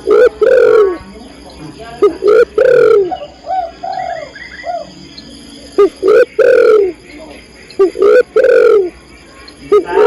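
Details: Spotted dove female calling for the male, producing four loud cooing phrases across ten seconds, each of short clipped notes ending in a long falling coo, with faint twittering from other birds in a lull.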